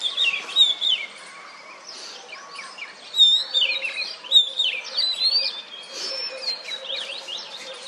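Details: A male-plumaged oriental magpie-robin on a wooden stump, courting and calling to females; a varied song of sharp whistles, downslurred notes and quick chirps in bursts, with a faint low hum underneath.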